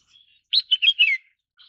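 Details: Red-whiskered bulbul, also called red-cheeked bulbul, giving one quick burst of four or five bright, warbling whistled notes that rise and fall, lasting under a second, with a faint higher note after it.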